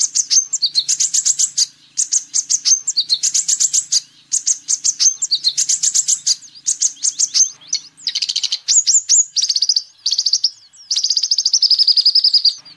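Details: Energetic sunbird song, kept as a lure and tutor for training birds: bursts of very high, rapid trilled notes about a second long, repeated with short gaps, the later phrases becoming drawn-out buzzy rattles.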